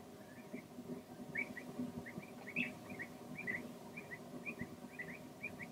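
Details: Long-toed stint calling: a steady series of short, soft chirping notes, several per second, over a low background rumble.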